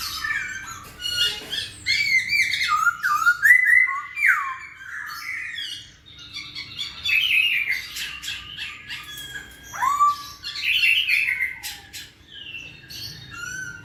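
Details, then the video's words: Masked laughingthrush song, played to provoke lazy birds into singing: loud, varied whistled and slurred phrases, some rising and falling, broken by brief pauses, with harsher chattering notes mixed in. "KICAU BURUNG POKSAY HONGKONG GACOR"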